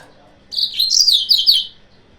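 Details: One high, lively phrase from a yellow-fronted canary, used to provoke rivals. Rapid chirps and downslurred whistles tumble together for just over a second, then stop.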